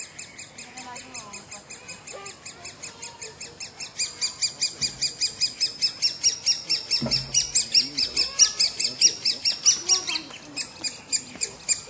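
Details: Woodpecker, recorded in 2007, giving steady rows of high, sharp chirps that grow louder and quicken midway, near two per second, with a brief low thump.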